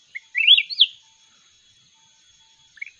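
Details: Red-whiskered bulbul from the mountains competing in song: a chirp, then one sweet, fluid warble that rises and dips, followed by silence and a short chirpy note, with a faint steady background tone.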